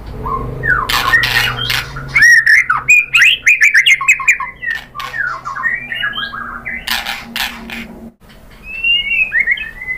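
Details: A white-rumped shama sings a varied, jumbled medley of slurred whistles and chattering notes, broken by sharp clicks and bursts. Used as lure song to encourage other birds to answer. Lower whistles close the passage.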